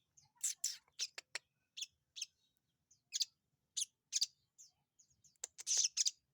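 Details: Sogon bird in full song while held in the hand, rapid bright chirps and twittering notes delivered in irregular bursts, ending in a denser trill.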